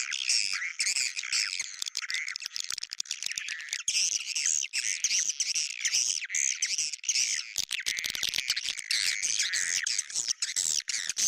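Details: Long run of swiftlet twittering in the 'bintang utara' lure style, liked by swiftlets: unbroken, shrill, wavering chatter with crackly clicks, steady in loudness over eleven seconds.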